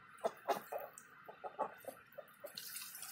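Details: Indian Runner ducks in the morning uttering quick, clipped quacks in an uneven series, with splashing water audible, growing at the end.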